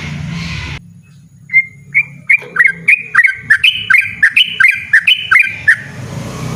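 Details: Yellow-vented bulbul singing a loud, persistent ropel-style song: after a brief burst of noise, short rising whistled notes come rapidly, about a dozen in a row, each sliding up then dropping, with a low hum underneath.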